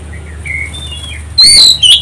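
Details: Oriental magpie-robin song used to provoke other birds into singing: soft whistles, then a sudden loud, piercing burst of high sweeping whistled notes over a low steady hum.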